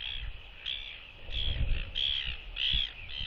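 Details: At the nest, a mated northern royal albatross pair greets with skycalls to reaffirm their bond, December 2023; evenly spaced rasping honks, six bursts in about three seconds, over steady wind noise.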